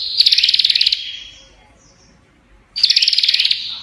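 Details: Two short, harsh buzzy bursts from a prinia, each a rapid crackling rattle lasting under a second, separated by a quiet gap of nearly two seconds.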